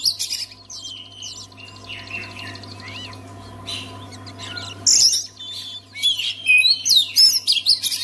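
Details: Oriental magpie-robin song for making other magpie-robins sing: scratchy, varied warbling with a few rising whistles, then a loud final run of sharp chirps and trills, over a constant electrical hum.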